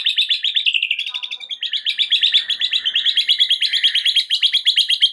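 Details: White-rumped shama, known locally as murai batu, pouring out 'isian' filler phrases used to provoke a silent shama: a steady stream of quick, chattering repeated notes, briefly interrupted near the one-second mark, then resuming.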